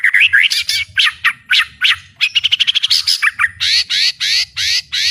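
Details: Caged white-rumped shama with fighter temperament singing open-beaked at full volume; loud repeated buzzy rising notes, a fast rattling series of short clicks, then harsh drawn-out rasping phrases, with a low hum underneath.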